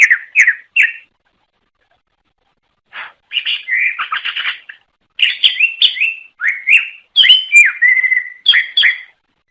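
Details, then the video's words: Greater green leafbird (cucak ijo), a songbird native to Java, Sumatra and Kalimantan, sings lively bursts of varied whistles, slurred chirps and chattery notes in quick phrases separated by short pauses. This long-duration song is meant to lure other cucak ijo. "Suara Kicau Burung Cucak Ijo Durasi Panjang Untuk Memikat"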